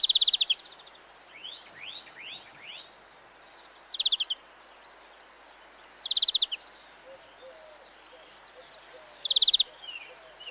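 A greenfinch gives short, fast, dry rattling trills, each about half a second, repeated every two to three seconds, with faint chirps from other birds between them.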